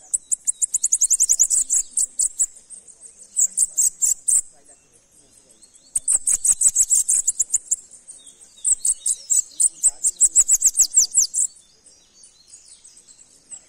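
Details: Saffron finch song arriving in four phrases. Each is a fast series of thin, very high, ticking notes lasting one to three seconds, separated by short pauses.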